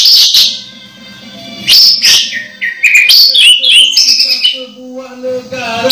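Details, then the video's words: Orange-headed thrush nearly in moult but still singing energetically, pouring out a fast jumble of whistled notes, trills and chirps over a faint steady low hum. "Anis merah hampir mabung masih gacor"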